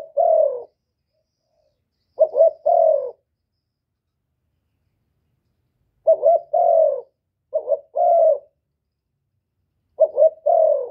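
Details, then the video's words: Spotted dove call recorded without background noise to make other birds call; several cooing phrases of a stuttered pair of short notes and a longer falling coo, irregularly spaced with gaps up to three seconds. "Tiếng chim cu gáy kích bổi giọng hạp bổi"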